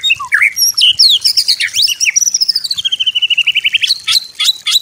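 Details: White-rumped shama master song to be copied by other birds: high, thin sweeping notes and twists, then a long, fast, even trill gliding slowly down, closing with sharp strokes.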